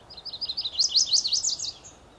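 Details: Rambling unaccented-ending song of a male Chestnut-sided Warbler defending territory, Rockport, Maine, at Beech Hill Preserve on a foggy early morning, 30 May 2014. Quick series of high, sharp up-slurred notes, louder in the middle, ending plainly after about 1.7 seconds.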